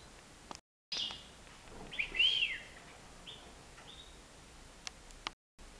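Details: Young European goldfinch, aged nine months, free in a living room, gives a bright arched chirp followed by a few softer high flat notes, with occasional clicks in the room.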